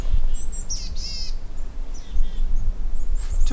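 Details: Boreal chickadee at Sax-Zim Bog on a bright, chilly December 14, 2020 Christmas Bird Count morning, with −10°F windchills, giving a few high, wheezy, buzzy call notes over a steady low rumble of wind or traffic.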